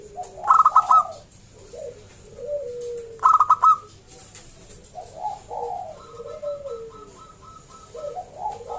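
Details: Local zebra dove singing loudly, a lure to get other zebra doves calling: two bursts of rapid stuttering notes, each flowing into lower soft rolling coos, with quieter coos between.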